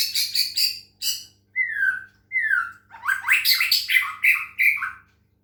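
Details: Medan-type white-rumped shama singing under water-sound therapy: rich chattering phrases, two clear whistles sweeping downward, then a fast tumbling sequence of buzzy rising notes.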